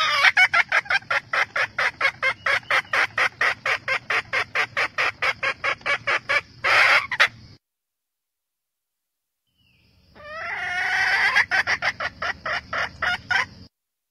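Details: Hen red junglefowl summoning the rooster: a long series of rapid cackling pulses, a short pause, then a fresh drawn-out rising note that dissolves into more quick cackles.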